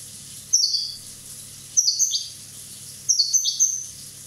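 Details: One-year-old Corsican European goldfinch singing three short, bright twittering bursts about every 1.3 seconds. Each burst is a high, tinkling cluster of quick notes, some sliding downward, with quiet pauses between.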